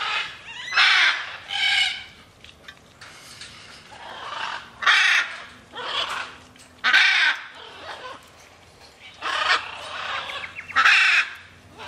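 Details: Free-flying macaws calling with coarse, grating screeches, short and clipped, scattered irregularly at roughly one per second or two, some louder and closer than others.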